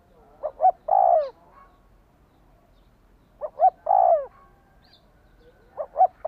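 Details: Spotted dove voice aimed at provoking a decoy bird: two quick notes followed by a long downward-sliding coo, phrases spaced about three seconds apart, with a faint high chirp between them.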